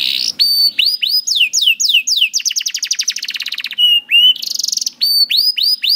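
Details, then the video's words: Canary song used to coax young canaries into singing: bright whistled upslurs and downward sweeps repeated several times, a very fast rattling trill, then more rising whistles. "MASTERAN KENARI AMPUH UNTUK KENARI PAUD DAN SUSAH BUNYI"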